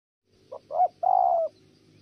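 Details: Spotted dove, a male interrupted by a female, giving a short low coo: two brief notes then a longer, steady hooting note.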